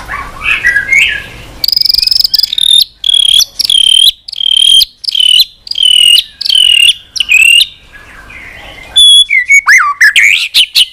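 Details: Long-running white-rumped shama song with tail flicking on the perch and many unusual voices. About ten bright, ringing, high notes repeat roughly every half second, then a final burst of mixed whistles and slurs.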